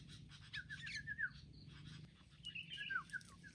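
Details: Wild sooty-headed bulbuls attacking as a group, uttering harsh, slurred squawking notes that sweep downward, in two bursts separated by a quieter pause, against a low background hum.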